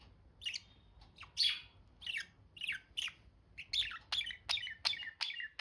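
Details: Budgies give a steady series of short, sharp, high chirps, each a quick falling sweep, repeated more than once a second with brief gaps between.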